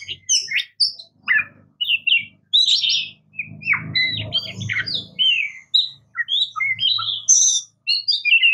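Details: Varied, melodious song of an Oriental magpie-robin: bright whistles, chattering notes and squeaky slurs strung together, over a low background hum in the middle.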